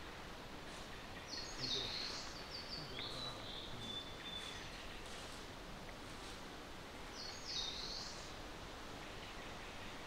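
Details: Eurasian wren (Troglodytes troglodytes) song at Ōbora spring, Lake Yamanaka, Japan, on 3 June 2018: two bursts of rapid, very high, tinkling trills against a steady rushing background like flowing water.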